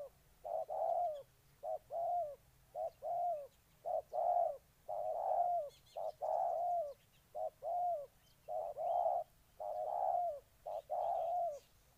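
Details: Cooing of a spotted dove recorded in Ninh Thuận: low mellow notes repeated roughly once a second over twelve seconds, some phrases slurring downward, with faint high twittering behind.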